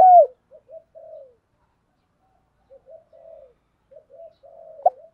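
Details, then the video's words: Decoy spotted dove cooing to draw in wild doves: soft, low, hollow coo phrases in short groups, separated by quiet gaps, with one loud clap at the start. "chim cu mồi thúc đấu và gáy gọi kích bổi rất xiêng gáy"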